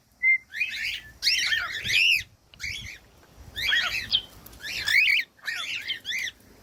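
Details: Bursts of bright, repeated chirps from a cockatiel, in clusters separated by short gaps, with one clear whistle at the start; recorded to encourage pet cockatiels to sing.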